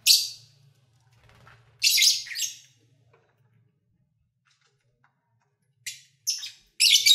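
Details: Captive lovebirds having fun produce loud, raspy high-pitched chatter in bursts, a long noisy one early and quick clustered squawks near the end, against a faint low hum.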